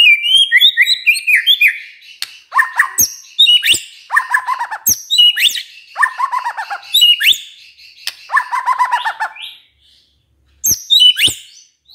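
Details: White-rumped shama song used to provoke replies from other shamas: loud, dense bursts of chattering trills, sharp clicks and descending buzzy notes, ending after a brief silence.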